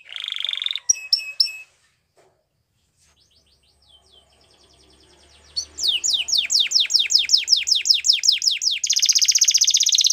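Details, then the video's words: Belgian canary training song: brief buzzy notes and a short trill, a near-silent pause, then a long series of steeply falling whistled slurs and a closing dense buzz. "The Most Magical Canary Training Song | Belgian Canary"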